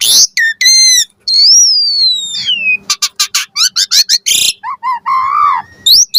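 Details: Asian pied starling lure song with varied fill phrases to make starlings answer: a long falling whistle, a fast series of harsh clicking notes, then low wavering whistled notes and a closing rising note.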